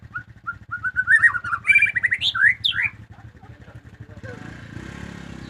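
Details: Household white-rumped shama (murai batu) singing actively: a fast run of varied whistled and slurred notes rising from mid to high pitch, with a sharp trill near the end. A steady low engine rumble persists throughout, and a broadband noise burst closes the clip.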